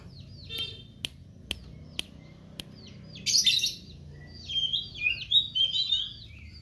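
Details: Meranti bird singing actively: a few sharp clicks in the first three seconds, then a loud burst of high chirps and a run of quick, high, twittering notes through the second half, over quiet low background hum.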